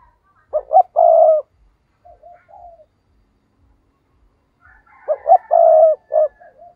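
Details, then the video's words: Lure spotted dove calling to excite wild rivals: two strong, low cooing phrases, each made of quick short notes and a sustained burry coo, separated by soft, quieter murmurs. "Chim cu gáy mồi chuẩn thúc kích bổi nhanh nổi hiệu quả ll Chim cu mồi"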